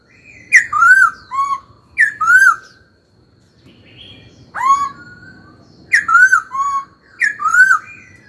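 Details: Caged young laughingthrush giving a stimulating training song, clusters of loud looping whistles that rise and fall, a brief quiet spell midway, then more paired phrases over a low background hum.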